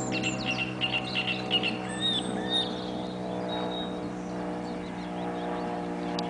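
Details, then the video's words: Great Reed Warbler singing at Straws Bridge, Derbyshire: a fast run of harsh, chattering and squeaky notes, loudest at first, partly drowned by a steady low hum from low-flying aircraft. "Great Reed Warbler singing"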